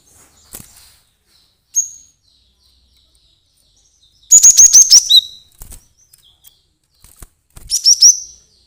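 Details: Emotional cinereous tit calling as bait for trapping birds: a lone high whistle, then a loud run of five or six rapid piercing chirps ending in a lower buzz, and a last burst of chirps near the end.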